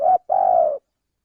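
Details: Male spotted dove lure call used to attract birds for trapping: a short mellow coo, a brief pause, then a longer level drawn-out coo. No other sounds.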